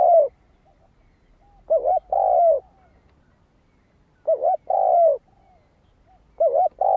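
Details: Lure song from a spotted dove, aimed at drawing wild doves near: mellow low phrases of a trembling two-part coo and a sustained sliding coo, repeating roughly every two and a half seconds.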